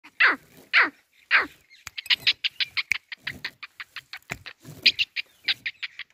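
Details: Adult black francolin calling to its chick: three loud, harsh grating notes, then a quick, uneven run of short squeaky chips, several per second.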